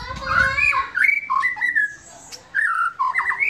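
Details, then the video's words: Relaxed white-rumped shama song of fluty mid-pitched whistles and warbles with pauses between them, plus a low rumbling noise at the very start. "Murai Batu SH bunyi santai"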